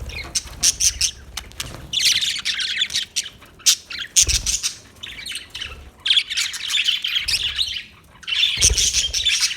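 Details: Budgie chirping in loud scratchy bursts and buzzy warbles, separated by brief gaps, with occasional low thuds, possibly from movement.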